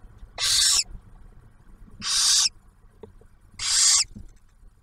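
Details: Barn owl nest on a camera at Ottawa National Wildlife Refuge, Ohio, as the male brings food and the female shares it with the owlet. Three long, loud, breathy hisses spaced nearly two seconds apart.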